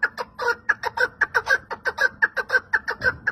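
A partridge gives harsh, clucking notes about twice a second in a steady, rhythmic run, rising slightly in urgency. Nothing else stands out.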